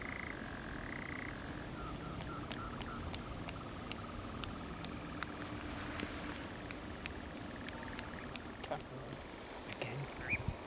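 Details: Male European nightjars at dusk on Coombe Heath, RSPB Arne, late June, catching insects; a churr fades out early, followed by scattered sharp clicks and brief calls over a quiet heath background.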